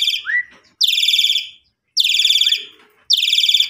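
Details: {'caption': "Asian pied starling used to coax a kept bird back into full song after its owner's trip: repeated loud, rattling rasps with short rising whistled notes between them."}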